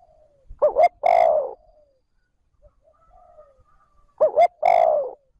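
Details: Two phrases from a decoy spotted dove calling trơn ròng to stimulate wild doves. Each phrase has two short rising hoots and then a long, hoarse, falling coo, with faint soft notes in the three-second gap.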